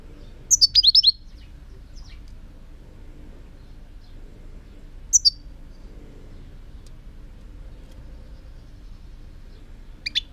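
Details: European goldfinch song from 2018: a short burst of high, liquid twittering notes at the start, a brief pair of notes midway, and a final high note, with long quiet gaps and faint hum between.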